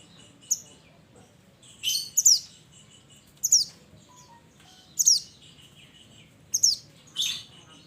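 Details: Mountain mantenan calling its companions, giving shrill, high, falling whistles in pairs and singles about every one and a half seconds against a quiet background.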